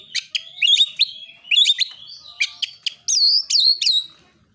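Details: Fighting song, called narung, from an Oriental magpie-robin that provokes rival birds to sing. Strident whistles mix with scratchy, buzzy notes in fast irregular bursts, ending in loud, ringing downslurred phrases.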